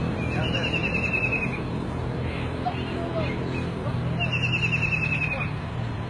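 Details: White-throated kingfisher (Halcyon smyrnensis) calling twice with a piercing, quickly repeated, falling whinny, the trills about four seconds apart, over heavy low droning background noise.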